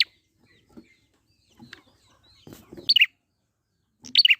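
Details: Wild prinia, recorded as a lure to trigger singing: after faint scattered chips, two bright bursts of rapid descending chirps ring out over a second apart.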